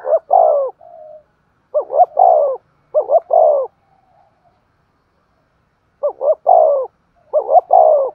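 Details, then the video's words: Sharp-voiced decoy spotted dove in 'thúc gù' urging coo: repeated phrases of two short rising notes followed by a longer sliding coo, clean background with a silent pause midway. "Tiếng chim cu mồi thúc gù// giọng bén bổi"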